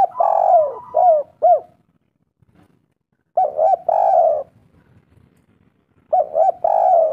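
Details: Spotted dove lure call to draw replies from other doves: three phrases of low mellow coos, each a couple of quick hoots followed by a drawn-out note, separated by gaps of about two seconds.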